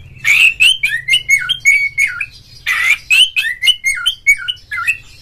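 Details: Singing oriental magpie-robin, a kacer call meant to draw song from other magpie-robins: rapid run of sweet, down-slurred whistles mixed with raspy notes, two long bursts with a brief break, faint low hum.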